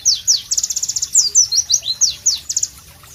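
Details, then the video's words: Short burst of loud Pleci (White-eye) song: high, sharp slurred whistles and a quick run of repeated chirps, about a dozen notes in three seconds. "Masteran Pleci Bird Sounds Loud, Sharp and Melodious"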